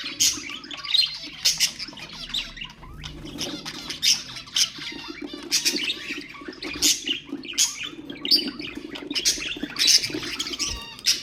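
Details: Budgerigars as pet birds, chattering to stimulate their companions: continuous scratchy warbling with frequent shrill squawks and clicks, a low hum beneath, indoors feel.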